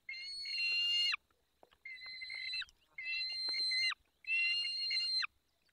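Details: During feeding in the Barycz Valley on 20 May 2021, 10:22, a peregrine falcon gives four drawn-out, nasal, steady wails, each ending in a short downward slur, with quiet gaps between.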